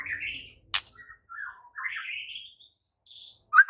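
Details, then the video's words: White-rumped shama in 'gacor full isian' song, used as a master recording for shamas that rarely sing: sweeping slurred whistles rising and falling, with a sharp click and a short burst of notes at the end. "Murai Batu GACOR FULL ISIAN"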